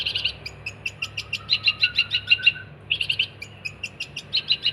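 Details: Cendet, the long-tailed shrike, singing energetically for songbird training: rapid clusters of bright chirps, a brief gap, then more quick repeated notes, with soft lower twitters underneath.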